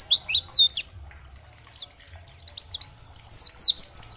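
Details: An oriental white-eye, dakbal type, sings high, thin, sweeping notes, first in a brief burst, then after a gap in a quickening, dense run. The song is used to rouse other white-eyes into song.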